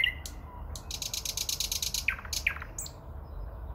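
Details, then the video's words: Early-May song of a common nightingale near Moscow: a fast, high, metallic rattle of rapid strokes, followed by two loud plunging notes and a brief high flourish. "Пение Соловья. Подмосковье, начало мая."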